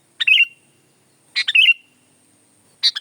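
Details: Sooty-headed bulbul singing two short, bubbly chirping phrases about a second apart, each quick warbled notes ending in a slurred whistle, with the start of a third phrase; otherwise quiet.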